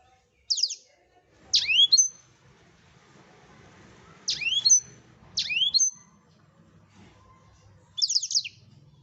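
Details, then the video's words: Tutor recording of a lively Blackthroat: five high phrases over about eight seconds, each a sharp downslurred whistle with thin ringing notes, set against a soft low background murmur. "Blackthroat #masteran Burung blekstrut Gacor"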